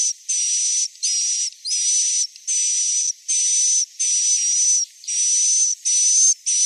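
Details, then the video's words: Swiftlet roosting lure sound, meant to make young swiftlets settle and stay in a swiftlet house: harsh, hissing buzzy bursts about half a second long, repeated steadily with short gaps, and a thin high whistle running through each burst. "SUARA INAP TOP WALET"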